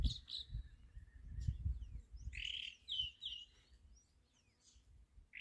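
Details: Chalk-browed mockingbird singing on a farm in its jumping display; a quick run of bright, slightly rising whistled notes near the middle, with a few scattered faint chirps and steady low rumble throughout.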